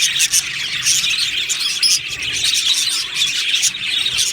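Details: Aviary budgerigars chirping as a group, a short burst of dense, high, scratchy twittering with louder chirps standing out now and then.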